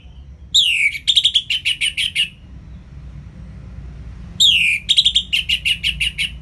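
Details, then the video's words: Orange-headed thrush singing ngeplong style, meant to stimulate quiet birds to sing. Two phrases, each a sharp falling whistle then a quick series of about eight bright repeated notes, separated by a two-second pause. "ANIS MERAH Ngeplong Masteran Jahat Untuk Burung Yang Malas Bunyi Agar Lebih Gacor Selalu"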